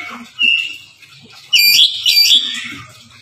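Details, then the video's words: Oriental magpie-robin singing loudly and insistently with a song full of varied phrases, used to prompt other magpie-robins to sing. A brief sharp note is followed by loud, harsh, buzzy bursts of rapid chattering notes, over faint background noise. "Masteran Suara Kacer Gacor Volume Ngotot Full Isian"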